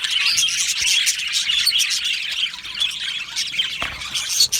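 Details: A colony of Australian budgies in an aviary keeps up a steady, busy chorus of high twittering chirps and scratchy squawks, many birds calling over one another without pause.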